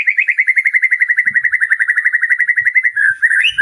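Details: White-rumped shama in full song for training other caged birds: a fast, even series of short chirping notes at a steady mid pitch, about four per second, ending in slightly varied notes.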